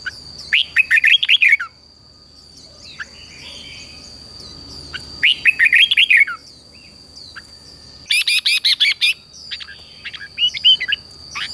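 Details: A wild-caught red-whiskered bulbul in song training sings short, bright, warbled phrases, each lasting about a second, repeated every few seconds over a steady high-pitched whine.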